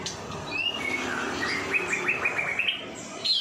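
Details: White-rumped shama, a cage bird, singing for a tutor recording used to train other birds: a varied phrase of clear whistles, then a fast run of short rising notes repeated about eight times, ending in a high sharp note.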